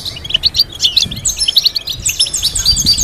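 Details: Short burst of European goldfinch song for teaching goldfinches: quick tinkling chirps running into a buzzy, rattling trill, then more bright notes.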